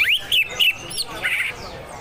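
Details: Greater green leafbird, harsh besetan song style, with gently flowing water behind: three loud, coarse, rising notes in quick succession, then a longer rasping burst and fading chirps.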